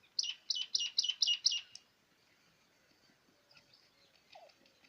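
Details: Quail (batair) in Pakistan giving its kirk call. A burst of six quick, buzzy, grating notes lasting under two seconds, then near silence with faint distant chirps.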